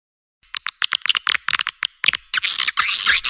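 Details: Edible-nest swiftlet calls used to draw swiftlets to a nest house. Rapid, irregular dry clicks and chirps break into a dense, shrill, buzzing twitter at the end.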